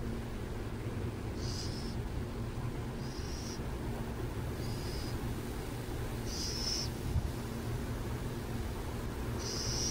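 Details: Repeated raspy, hiss-like screeches from burrowing owls in San Jose, five short high bursts at irregular intervals of one to two seconds, with continuous low traffic drone underneath.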